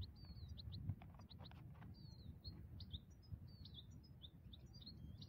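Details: ['Migrating wild European goldfinches at a ground-net trapping site give quiet, high twittering notes and short rising slurs in a continuous chatter over low background rumble.']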